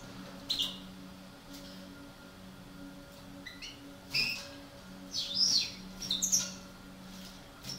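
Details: European goldfinch of the parva subspecies, a breeding pair, giving scattered high thin twittering notes and short bright chirps in brief bursts over a steady low electrical hum.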